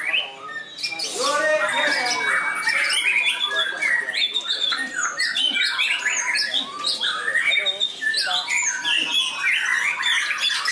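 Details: Trained white-rumped shama (murai batu) tested at a contest field, singing a rich, varied run of fill-in phrases: dense, fast whistles, trills and chattering notes packed continuously, with low chatter faintly beneath.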